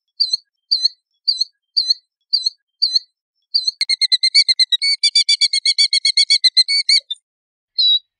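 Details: Killdeer utters a series of six short, high clipped notes roughly every half second, then breaks into a long rapid chattering trill of dense repeated notes, finishing with a single separate call.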